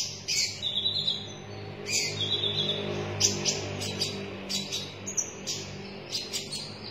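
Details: Konin dada merah, a red-breasted sunbird, in lively song: high, thin chirps and short trilled phrases in separate bursts, with a steady low hum underneath throughout.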